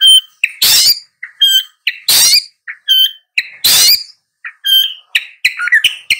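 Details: Long-tailed shrike mixing short whistled and chirping notes with loud grating rasps, in a lively irregular sequence with small gaps.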